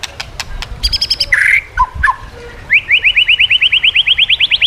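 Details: White-rumped shama song for training other shamas to sing: a few dry clicks and short warbles, then a fast, even run of about twenty sharp rising whistled notes, roughly four each second.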